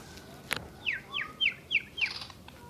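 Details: Asian brown flycatcher giving five thin, high, downslurred notes spaced about a third of a second apart, after a single sharp click near the start.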